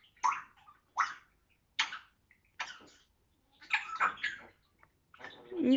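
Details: A 9-month-old pet African grey parrot imitates a cough: four dry, husky bursts about a second apart, then a rougher run of coughs, with a person's voice at the end.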